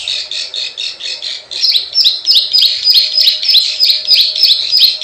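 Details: Plain prinia lure call of the klik klik and ciwah type: high, buzzy clicking notes repeated about three times a second, louder and more even after the first second and a half.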